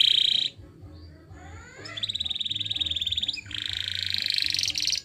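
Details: Canary song played as a training recording for canaries: a bright high trill, a short pause, then a rising sweep into a long buzzy rolling trill, and a second dense trill at the end.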